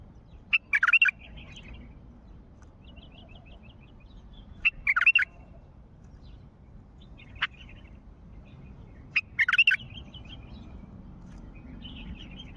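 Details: Wild bulbul from Mandali calling: short burbling chattered phrases around the mid-high range, three bursts spaced about four seconds apart, each mixed with sharp clicks, over low background rumble.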